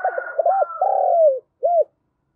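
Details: Spotted dove used as a decoy, cooing to wild doves during a morning training session; a fainter second bird overlaps as the main dove gives two short notes, a long sliding coo and a clipped closing note.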